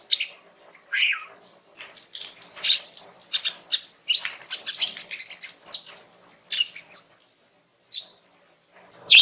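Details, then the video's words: A female greater green leafbird in relaxed song, aimed at getting a young male to respond; a rich, jumbled twittering passage with a few scattered clear whistles and short gaps of silence. "Cucak Ijo Jantan Muda bakalan NYAUT dengan kicau SANTAI Cucak Ijo Betina ini"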